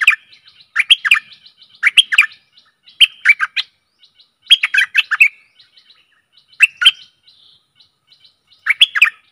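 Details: Decoy recording of a stripe-throated bulbul for luring fierce wild birds: clear, bubbling phrases of two to five fluty notes, repeated about every one to two seconds with faint soft notes between them.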